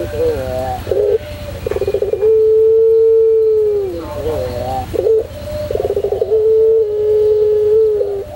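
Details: White puter pelung heard in a tutor recording, giving two full coos: stammered rolled notes, then a long steady low tone that slides down, repeated after a short gap of chuckling notes.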